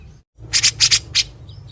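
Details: Grey-cheeked bulbul tutor bird uttering its characteristic harsh 'besetan': five scratchy, buzzing bursts grouped two, two and one over less than a second.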